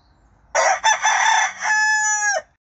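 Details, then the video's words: Silver Spangled Hamburg rooster in a kitchen garden giving one loud crow of about two seconds, starting harsh and broken, then ending in a long, steady, drawn-out note. "Silver spangled hamburg rooster crowing"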